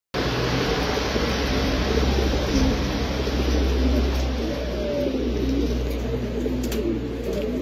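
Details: A white King breed domestic pigeon (Columba livia domestica) gives low, soft cooing notes, muffled under a steady indoor background hiss and low hum.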